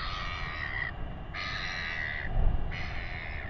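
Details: Royal albatross chick in New Zealand begging while its father feeds it, with weighing under way: loud, raspy, sustained calls in three long bursts separated by brief gaps, plus a low thump and steady wind rumble.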